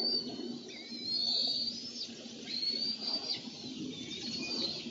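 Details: Bald eagles at their nest on June 1, 2014, with mantling, a steal and a tug of war: a series of high, drawn-out whistled notes that dip and slur downward, over a low continuous background hum.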